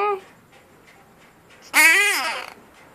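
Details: Pet parrot saying the word it prefers, 'no': a single loud, buzzy, speech-like utterance lasting under a second, in a quiet indoor setting.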